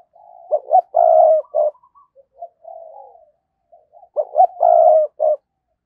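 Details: Decoy spotted dove in 2022 repeating its thúc and gáy coos to provoke wild birds. Two loud, low, hoarse phrases, each of short notes around a long sustained coo, are separated by soft, muffled cooing.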